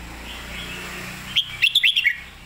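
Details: After a soft murmur of background noise, a red-whiskered bulbul sings a crisp run of five or six quick, bouncy whistled notes, the popular 'phat kuay tiew' or 'mae bot' master-song style.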